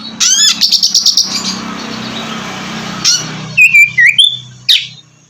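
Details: An Oriental magpie-robin sings as therapy for a bird that has stopped singing. Buzzy chatter at the start fades under a broad rushing noise, then clear swooping whistles return near the end.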